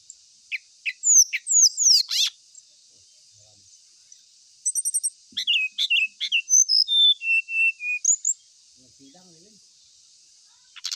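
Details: Ashy tailorbird song: sweeping high chirps and a harsh burst, then a long string of staccato whistles descending in steps, ending in quiet hiss.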